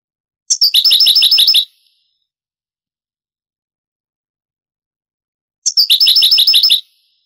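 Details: European goldfinch in the Granada style of song, from an old Spanish tape of the 1980s–90s later transferred to CD. Two bursts of bright, rapid, tinkling trills about a second long each, separated by roughly four seconds of silence.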